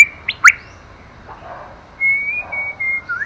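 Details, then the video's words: Female white-rumped shama stimulating the male: two sharp, bright notes at the start, then a long, thin, level whistle and a short rising slur after a quiet gap. "Choè lửa mái kích trống hay nhất"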